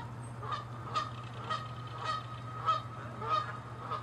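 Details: Canada geese fighting, chasing and attacking in territorial aggression, on water and land; loud honks repeat about every half second, each a harsh nasal note with stacked harmonics, over a steady low hum.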